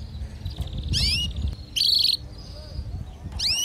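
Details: Kept canaries, the female calling for mating with the male singing: quieter, gappy phrases of upward-sweeping chirps and one harsh buzzy burst, separated by soft pauses with low background noise.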